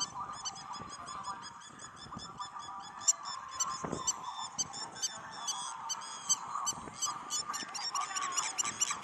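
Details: Spur-winged lapwing (Vanellus spinosus) on a resort beach at Marsa Alam, Egypt, giving sharp, metallic, rapidly repeated notes over a steady murmur of other background sound.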